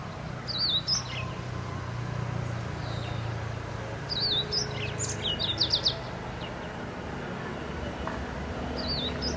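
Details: Streaky Seedeater (Crithagra striolata graueri) recorded in Musanze, Rwanda, in March 2013, giving short, high, twittering call notes in scattered bursts, with a cluster near the middle, over a steady low rumble of background noise.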